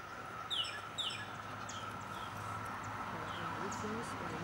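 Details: Cuban amazon (Amazona leucocephala) at Zapata, Cuba, 2016, giving two loud, sharp, downslurred squawks about half a second apart, then fainter calls, over a steady hum with faint voices.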